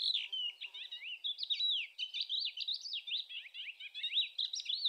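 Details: Thekla's lark (Galerida theklae) recorded on 25 April 2021 sings a continuous, high, twittering song of rapid whistled slurs and trills that rises and falls without pause.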